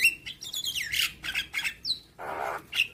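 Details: Javan myna song used as a training recording for young birds, played every morning: high whistled notes and sliding falling phrases mixed with harsh buzzy bursts and a broad rasping squawk near the end.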